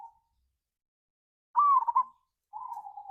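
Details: Local zebra dove in the ngayer kerot nutut style, a lure to excite other doves: one full burbling coo phrase with an accented opening and rapid stuttering notes, then a softer trailing coo and the tail of an earlier one.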